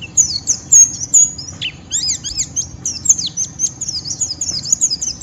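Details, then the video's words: White-eye giving a rough ngeriwik song, used to stir other white-eyes, including wild-caught birds, into singing; a dense run of rapid high twittering notes with quick downslurred chirps and sharp peeps, nearly continuous over five seconds. "Pleci Ngeriwik Merangsang Lawan, Ampuh memancing Pleci omyokan Ikut Bunyi dan Gacor"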